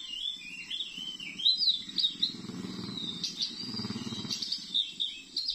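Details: Wild Oriental magpie-robin caught on a glue stick in front of a house, still singing and fighting a decoy bird. Loud varied warbling of whistled notes rising and falling in quick phrases, over low rumbling sounds.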